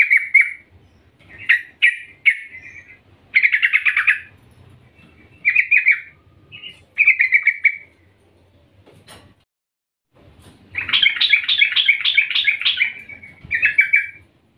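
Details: A female yellow-vented bulbul (Pycnonotus goiavier) calls to the male in the morning, giving bubbly, chattering bursts of bright notes.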